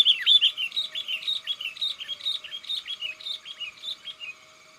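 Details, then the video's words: Sooty-headed bulbul calling its flock mates, a sound used to draw in wild birds: an unbroken rapid chatter of bright slurred whistles, about three notes per second, fading toward the end. "Suara burung kutilang gacor panggil kawan"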